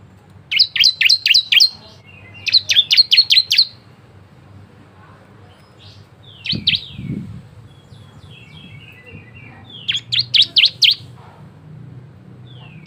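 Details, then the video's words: Bar-winged prinia singing varied song as a lure to get other prinias calling; three bursts of rapid, high, clipped notes, each about a second long and separated by gaps, with softer thin calls and a low thump between. "CISEM GACOR,SUARA VARIASI ‼️ UNTUK PANCINGAN ciblek lain cepat bunyi"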